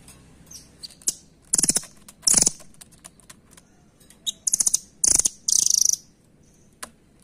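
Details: Shrill, fast rattling trills from a velvet-fronted nuthatch, known locally as rambatan, delivered in short bursts separated by gaps of a second or more, with light tapping clicks in between.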